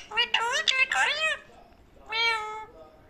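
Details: Parrot producing speech-like, harmonic vocal sounds in a small room. Several quick syllables are followed by a pause, then one longer drawn-out utterance.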